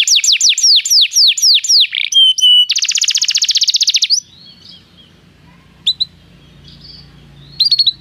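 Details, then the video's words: Canary song played to make a canary sing: series of descending whistled slurs, a short steady tone, then a dense buzzy trill for over a second, followed by near silence with faint hum and a few brief chirps. "esta espetacular canção do canário"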